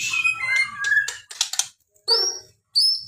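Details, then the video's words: White-rumped shama giving a varied song: a run of sliding whistles and quick chattering notes, a brief pause, then two clear rising whistled phrases near the end. "burung murai full fariasi"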